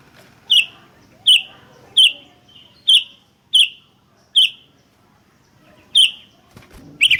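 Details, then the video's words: Sooty-headed bulbul calling energetically in an exchange between birds, recorded as a lure and tutor sound: short, bright, sharp chirps repeated roughly every 0.7 seconds, six in a row, a pause, then more, over a faint low hum. "Suara PIKAT Burung Kutilang GACOR Bersautan || Suara Masteran Kutilang Terbaik"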